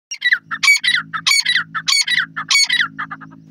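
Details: Grey francolin, locally called Canadian grey teetar, calling loudly: harsh, squawking multi-note phrases repeated in rapid bursts, roughly every 0.6 seconds, over a low steady hum.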